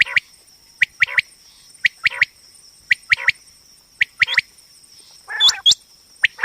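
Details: Female common quail (batair) calling, used as a hunting and trapping lure; short sharp notes in pairs and triplets at irregular intervals, a few higher hooked chirps near the end, over a steady high electronic whine.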